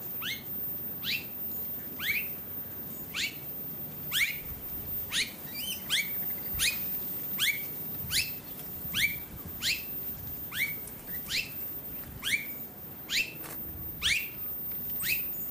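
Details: Australasian figbird filmed on the Sunshine Coast, Queensland, in October 2022, giving a long series of quick downward-sweeping notes that end in a short hooked whistle, repeated roughly once a second, with soft background hiss.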